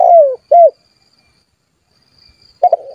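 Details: Spotted dove calling rivals to make them respond: a long falling coo and a short rounded coo, a pause of near silence, then stuttered coo notes starting again at the end.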